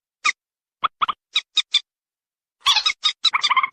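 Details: White-breasted waterhen call used to lure females and males: isolated short nasal croaks spaced out at first, then a dense run of loud harsh notes near the end, on a silent background.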